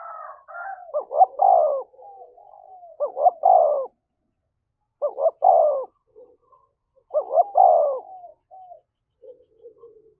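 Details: A spotted dove decoy, pushed to coo quickly and incite fighting: four regular phrases of two short notes and a long descending coo, spaced about two seconds apart, with soft muttered notes after them.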